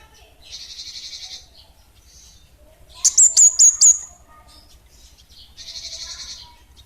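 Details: Kemade (orange-headed thrush) in 'bunga api kecil' song: a burst of four or five bright, high slurred whistles in quick succession, with softer buzzy, rattling phrases before and after and quiet background hum.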